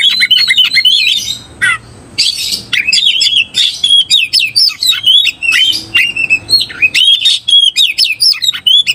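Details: Oriental magpie-robin seeking a fighting opponent, singing loudly and continuously: rich, varied whistled and chattering phrases with sharp upslurred and downslurred notes, quick trills and brief pauses, delivered in rapid bursts throughout.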